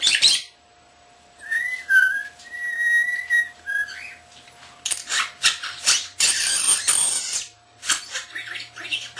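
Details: Captive young common starling mimicking indoors, including a whistled tune: a sustained clear whistle wavering and held for over two seconds, followed by a long stretch of loud, harsh, scratchy chatter and squawks.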